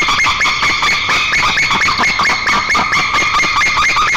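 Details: A pair of white-tailed eagles duetting at their nest, Nizhnyaya Kama National Park, Tatarstan, 7 April 2024, greeting each other after the female's return. Dense, overlapping yelping notes run continuously and quickly, forming a ringing chorus.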